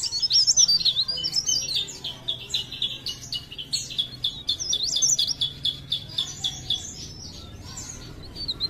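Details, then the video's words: Leaf warbler, locally cikrak daun, from Parepare, pouring out a long lively stream of rapid high chirps and slurred whistles, about four notes a second, gradually fading. "CIKRAK DAUN | PARE PARE | BLERENG GACOR❗"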